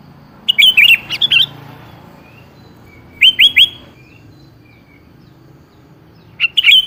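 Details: Sooty-headed bulbul song used as a lure to get a rarely singing bird to answer: short bubbly, warbled phrases of quick rising and falling notes, given in three bursts separated by pauses, over a low steady hum.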